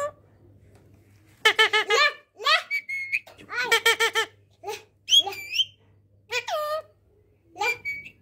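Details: Indian parrot that talks and mimics sounds: bursts of voice-like babbling with stacked tones, followed by several short rising and falling whistled squawks, over a faint background hum.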